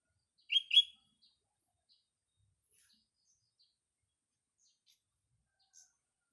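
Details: Sooty-headed bulbul heard in the morning in a green natural setting: a single loud two-note chirped phrase early on, then quiet with only faint distant ticks.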